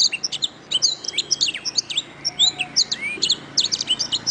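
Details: Canary tutor song: fast, tightly packed high notes, clipped chirps, looped whistles and a few downward-slurred notes, a nonstop sparkling stream over quiet background hiss.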